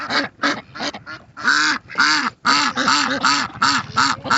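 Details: Ducks seen in their natural state, giving a loud run of harsh, nasal quacks, each with an arched, downward-curving tone, about three per second, short pauses between bursts.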